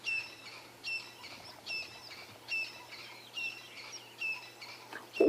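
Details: Arrow-marked babblers on a cleared African fire break at sunrise, part of a mixed bird party, babbling in harsh, raucous chattering bursts about once a second, mixed with a thin high whistle, over a low steady hum.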